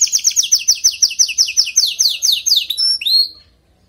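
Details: Canary singing, a song meant to be played to a weak-singing canary: a fast series of bright, downslurred high notes repeated about five times a second, speeding into a rattle before ending in two rising whistled notes, then silence.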